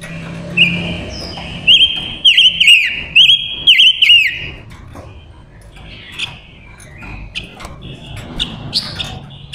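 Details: Silver-eared mesia, a female decoy bird singing to draw in wild males, gives a run of loud whistled phrases of flat sustained tones broken by quick hooked trills, followed by softer, scattered higher notes.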